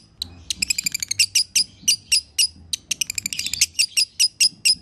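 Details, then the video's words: Lovebird in energetic chattering song (gacor, konslet style), used as a master recording for training other lovebirds: rapid bursts of sharp, harsh high chirps, some quick trilled runs, repeated irregularly with brief pauses, low background hum. "LOVE BIRD GACOR ( KONSLET )"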